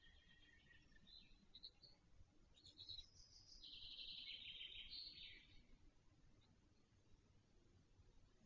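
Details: Webcam at a nest in Wolsztyn, Poland, 17 June 2024: the last-hatched black stork chick makes brief rasps, then a sustained scratchy wheeze near two seconds long, fading into quiet rural background.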